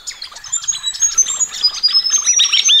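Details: Ring-necked parrots having a thorough wash in a pond on a cool sunny morning in Australia; loud, continuous high chirps and squeaky notes that grow stronger toward the end.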